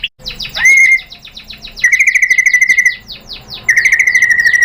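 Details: White-rumped Shama lure song, long sustained high whistles overlaid with rapid ticking trills, three phrases in under five seconds, a low hum in the background.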